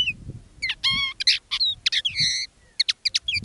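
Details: Decoy common linnet in live song: short phrases of nasal buzzy notes, stacked twangy calls and quick chirps, separated by brief pauses, with faint low rumble behind.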